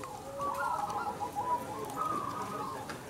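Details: A local crossing zebra dove sings in competition, giving a short rolling series of soft, quavering coos that rise and fall. Faint background noise.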